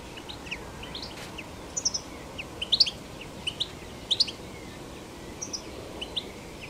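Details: European goldfinch singing in nature: scattered short high chirps and twittering notes in loose bursts over steady broadband background noise, with a few louder clustered notes midway.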